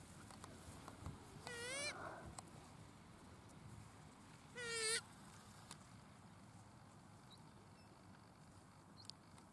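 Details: Two strident, nasal screeches from an Australasian swamphen (pukeko) at Waterford park in Christchurch, April 2019, separated by a few seconds of quiet outdoor background.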